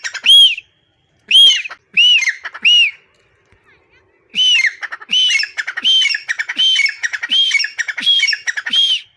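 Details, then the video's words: Black francolin singing in a mango tree in a garden: harsh, grating, high-pitched notes in four separate bursts, then a rapid run of scratchy notes for the last five seconds. "teetar ki awaaz || teetar sound || teetar ki boli"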